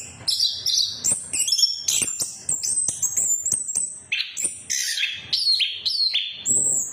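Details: Lure song of an orange-headed thrush, played to get non-singing birds going: bright high whistles and sharp chirps tumble together, with several long sliding notes dropping in pitch near the end. The phrases are rapid and ever-changing.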